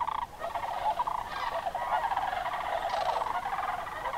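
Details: Sandhill cranes massing in October migration at Crex Meadows, a Northwest Wisconsin sedge wetland, evening or early morning; a dense, continuous chorus of overlapping rattling, trumpeting calls from many birds.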